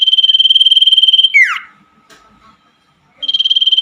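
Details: Common iora singing at night, meant to coax silent caged birds back into song: a steady high buzzing trill, a quick descending swoop, near silence, then the trill resumes.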